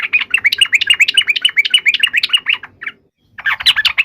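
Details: Yellow-vented bulbul giving a fighting song used as a lure to make other bulbuls reply at once: a fast, rattling stream of bright chirpy notes, a brief pause, then the chatter resumes.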